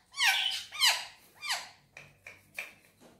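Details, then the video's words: Pet green Indian ringneck parakeet giving three loud, harmonic, arching squawks in a quick series, then three shorter, fainter clipped notes, indoors. "Indian Ringneck Parrot Talking And Whistling"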